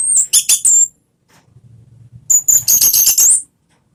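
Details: Orange-headed thrush singing a ngeplong-style lure song to prompt a kept bird to sing: a dense burst of shrill, high whistled and slurred notes, then a pause with a low hum, then another rich, rapid high phrase.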